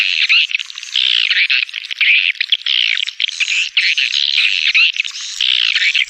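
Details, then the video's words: Stereo swiftlet calling sound meant to draw birds to any location: continuous high, harsh twittering, densely layered chirps with scarcely a pause. "Swiftlet Calling Sound"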